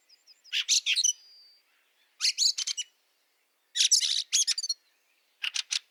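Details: Fieldfare in snow at Liepāja, Latvia, in March 2023: harsh, broadband chattering chack-chack bursts of three to six notes, repeated every one to two seconds, with a few thin high squeaks between bursts.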